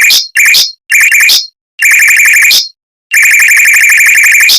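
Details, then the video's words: For tutoring white-rumped shamas, a mockingbird delivers rapid, dense rolling bursts: short volleys of harsh repeated notes separated by brief silences, each ending in a rising flourish. "Suara Burung Mockingbird Roll Speed Rapat Tembakan Panjang untuk Masteran Murai Batu"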